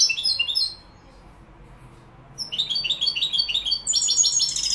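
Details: European goldfinch, Malaga, Morocco: a quick twittering phrase, a pause of nearly two seconds, then a longer burst of rapid chirps rising into higher, brighter tinkling notes at the end.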